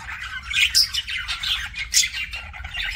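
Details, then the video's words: Budgerigar, a pet bird, giving kissing sounds: a short run of squeaky chirps and two piercing high whistled notes among soft raspy chatter. "BUDGIE KISSING SOUNDS"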